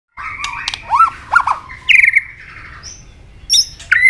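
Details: White-rumped shama fighting song, a double-note tail-clicking style used to provoke a rival: varied whistled phrases with arched notes near the middle, a long buzzy band, then sharp high clicks and bright whistles.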